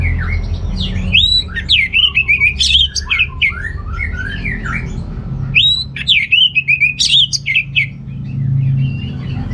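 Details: Rich, varied orange-headed thrush song for rousing unmotivated males: two long phrases mixing squeaky whistles, rapid twists and harsh high accents, each lasting several seconds, with a quiet gap between them.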